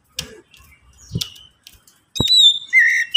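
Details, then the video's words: Oriental magpie-robin song played as a lure to make other magpie-robins sing quickly; after scattered clicks and taps, clear high whistled phrases with a sliding note start in the final second. "Pancingan Kacer agar cepat bunyi"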